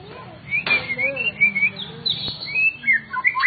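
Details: A captive white-rumped shama sings a varied run of clear, rising and falling whistled phrases, some quick and trilled, over a faint low background hum.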